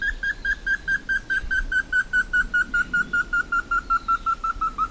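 A Slaty Bristlefront gives a long series of clear, evenly spaced whistled notes, about two or three per second, slowly dropping in pitch.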